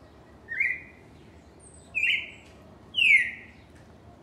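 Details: Singing cardinal giving three separate clear whistled notes, each a short slurred phrase, spaced about a second apart against a quiet background.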